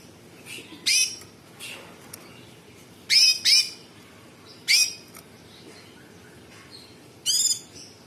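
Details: Sooty-headed bulbul in lively song, throwing out separated coarse, buzzy high bursts, some doubled, spaced by pauses of a second or two, with softer faint notes between them over steady low hiss.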